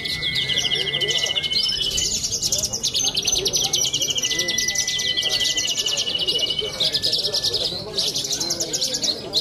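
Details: Young Australasian bushlark competing at a songbird contest in Cilacap sings a sustained run of rapid rattling trills in pulsing bursts, with other birds' steady whistles and a busy background.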